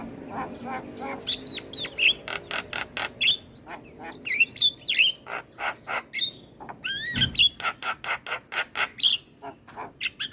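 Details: Javan myna song for training other birds, bird nodding as it sings; long stream of loud harsh clicks and rasps interspersed with thin squeaky whistles, with one low thud midway.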